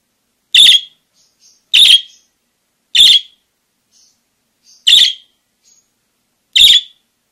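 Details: Parakeet repeating five loud, short, harsh chirps at uneven intervals of one to one and a half seconds, with faint thin squeaks between them and no other sounds.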